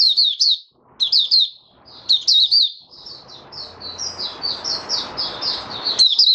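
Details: Caged oriental white-eye in open song on the fifth day after its monthly deworming, 20 January 2022: quick high twittering phrases, then a run of slurred whistled notes, with faint low background rumble.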